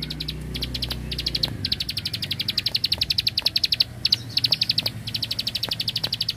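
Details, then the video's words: Machine-gun 'tembakan bren' song of a bar-winged prinia from the rice fields: quick, sharp, high clicks fired in bursts of one to two seconds. A deep hum fades out early on. "Prenjak Klik Klik Burung Sawah Gacor Tembakan Bren Keteran"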